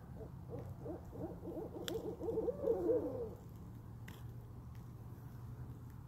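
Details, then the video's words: Owls in a yard giving a fast, wavering series of hooting notes that swells and then fades after about three seconds, with a couple of sharp clicks and a low hum behind. "Owl Sounds"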